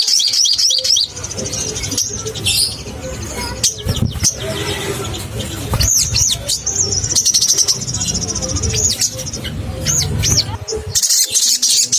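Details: Crimson sunbird, used to provoke caged birds into singing: high, thin twittering with rapid looping trills and sharp up-down notes, broken by bursts of noisy hiss and clatter.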